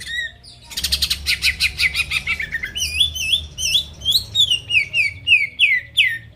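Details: Greater green leafbird song meant to trigger rivals into singing; starts with a fast buzzy trill, then a string of sweet looping whistles and downslurred notes repeated about three per second over a faint low hum.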